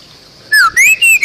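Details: A Bali myna, recorded for teaching other songbirds, gives a downslurred whistle followed by three loud, clear rising-and-level whistled notes in quick succession.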